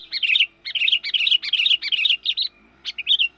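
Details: Sooty-headed bulbul calls used to lure wild birds: fast bursts of bubbly, chirping notes in dense runs for about two and a half seconds, a short pause, then a few more chirps.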